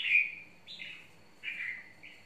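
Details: Red-whiskered bulbul, a wild-type bird, sings short warbled phrases around the upper-middle register, three brief slurred notes separated by pauses, with a faint steady high whine in the background.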